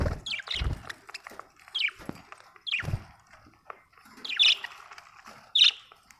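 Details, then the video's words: Budgies giving descending squeaky chirps spaced about a second apart, some louder sharp notes near the end, with low thumps and light background chatter. "Australian beautiful birds sound 😍 budgie chirping sound 🥰"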